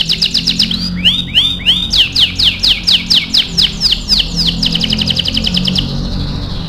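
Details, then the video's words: AF canary song meant for song training: quick high trill, three looping swept whistles, a series of descending chirps, then a rapid sustained high trill that stops abruptly. "MASTERAN KENARI AF GACOR"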